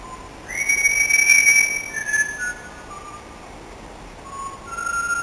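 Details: Parrot singing "Singing in the Rain": clear, pure whistled notes that hold steady and then step between pitches like a melody, with a louder bright stretch early on and quieter held tones later.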